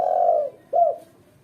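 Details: Female spotted dove used for luring and training: a long husky coo fades away, then a short, sharply bent coo follows after a brief pause.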